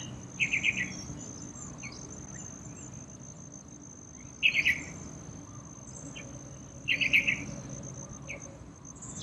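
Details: While bathing in a small courtyard water pool, a yellow-vented bulbul repeats quick chattering bursts of liquid notes three times, a few seconds apart, over a constant high background whine.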